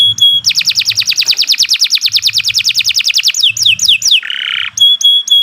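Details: Canary giving a long, unbroken master song meant for training other birds: a steady run of some thirty rapid, evenly spaced descending whistles, then slower sweeping notes, a short harsh buzz, and clipped high chips.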